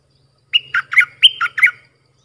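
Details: Bulbul song phrase for training hand-fed chicks and fledglings. Six quick, loud, whistled and slurred notes, alternating higher and lower, over a faint low rumble.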